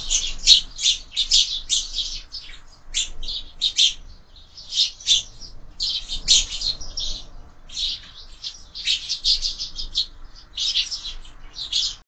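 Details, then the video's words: Sparrows gathered at a feeder fixed to a window for breakfast, calling in lively bursts of short, piercing chirps repeated in rapid series, with quiet gaps every few seconds. "Воробьи в кормушке - Завтрак"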